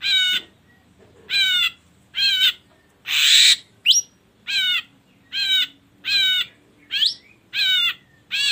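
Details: Ashy drongo song used as a lure to provoke singing: a long series of wavering ringing notes about every second, broken by a harsh rasp and a couple of quick upward-sweeping whistles.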